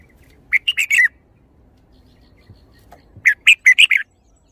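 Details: Red-whiskered bulbul singing two quick, bubbly phrases of four to six chirpy notes each, separated by a pause of about two seconds.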